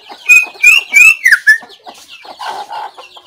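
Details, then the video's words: White-rumped shama, 17 April 2024: a quick run of loud whistled phrases sliding downward, then softer scratchy notes and a low buzzy chatter. "noog quaj zoo # นกกางเขนดง"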